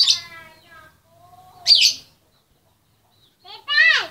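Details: Harsh, rasping squawks with a rich buzzy tone, separated by short pauses, come from a female lovebird calling for the male.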